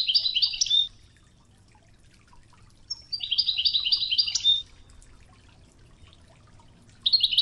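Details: A goldfinch sings the Wedani style on a training tape mixed with river murmur: short bursts of dense, tinkling twitters, each under a second or so long, separated by pauses with low running-water hum.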